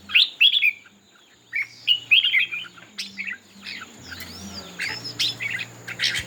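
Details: Red-whiskered bulbul in a singing contest, tail spread: loud, ringing warbled phrases at the start and middle, followed by softer, scattered chirps and a faint high steady tone.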